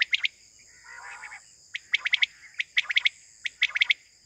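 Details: A quail calls at morning in quick bursts of three or four sharp, clipped notes about every second, over a steady high insect hum; the sound is used for quail hunting.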